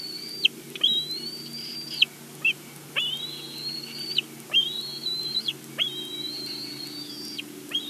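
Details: Bald eagle bringing a game bird to its Big Bear nest, live nest camera recording; a series of five sustained piercing whistles, each opening with a swift rising slur, plus a brief short note between them, over soft low hum and light clicks.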